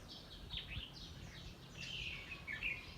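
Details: Birds in a home garden where many species live, early morning: quick high twittering and sliding chirps from several birds, tumbling over one another, with a low steady hum underneath.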